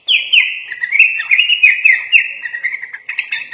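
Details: Kutilang, or sooty-headed bulbul, singing vigorously in a full-isian style laced with murai batu imitations: a continuous chattering run of quick whistled notes that wobble up and down within a narrow high band.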